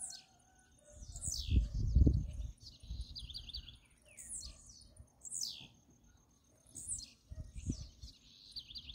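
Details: Blue-black grassquit, free bird singing in dispute with a caged bird: repeated high sharp downslurred buzzy phrases from more than one bird, over low thumps and rumbling background noise.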